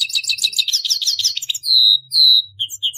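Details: Grey-headed goldfinch: a rapid chattering twitter of repeated high notes for about a second and a half, followed by two long, level, clear whistles and a couple of short slurred notes.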